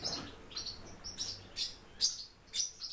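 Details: Warbling white-eye calling with bright, high-pitched chirps and squeaky tweets in quick loose bursts, roughly two per second, with the loudest sharp note near the middle of the clip; little else heard beyond faint hiss.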